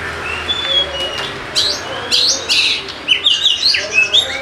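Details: Oriental magpie-robin song used as a lure to make lazy birds sing: faint whistles at first, then a loud run of rich, varied whistles, sharp upslurs and buzzy notes, with a low steady hum beneath.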